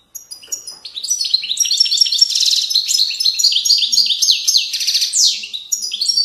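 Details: Goldfinch in the Moroccan widani song style of valley riverbanks, delivering one continuous, dense stream of high tinkling twitters, fast trills and buzzy rolls without a break.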